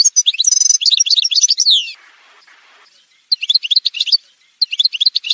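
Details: Goldfinch (Algerian goldfinch) singing in a montage: a fast, liquid twittering run ending in a descending slur, a quiet gap, then two more short bursts of crisp, tinkling notes.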